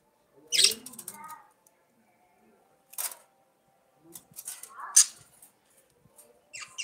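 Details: Periodic scratchy chirps from budgerigars, separated by near-silent pauses, with a brief softer warble after the first burst and a sharp squeak later on.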